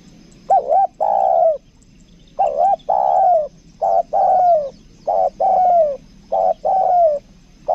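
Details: Decoy spotted dove of the 'kuk dua' call type repeating its paired phrase: a quick wavy note and a drawn-out descending coo, five times in under eight seconds, clear and loud.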